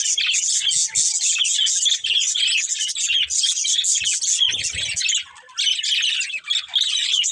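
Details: Budgerigars of one family chirp in a dense, rhythmic twitter of short squeaks, with a short lull around five seconds and a few soft low knocks.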